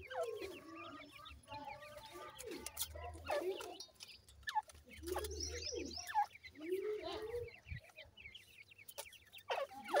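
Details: Several francolin chicks being fed peep continuously in short, falling notes, with overlapping calls, low murmuring voices and a few louder clicks.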